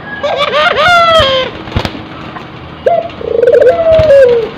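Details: Cross-bred tekukur and puter dove in breeding condition cooing: a bright rising note, a quick rolling pulse, then a long level coo that drops at the end, repeated twice with a faint click between phrases.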